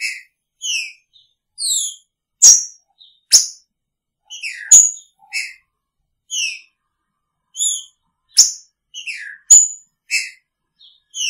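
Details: Green-winged saltator sharing a cage with its female sings a lively series of clear whistles and falling slurs, punctuated by loud sharp clicks, almost continuous over the recording.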